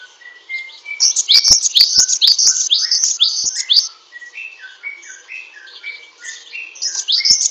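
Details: Glatik wingko (Great tit), a small bird prized for its long chattering song delivered with strong breath: a dense run of fast, high, scratchy down-sweeping notes, easing into softer lower whistled phrases, then a final high burst.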